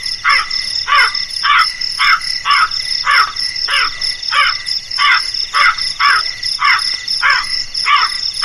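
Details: Fast series of rough, raspy crow caws, called frightening, spaced around two every second with slight unevenness, accompanied by continuous high-pitched insect buzzing.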